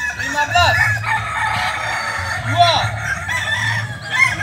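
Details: Kukuak balenggek roosters at a training competition at AMKO: several overlapping long crows rising and falling in arched, layered notes, with clucking and a steady low hum underneath.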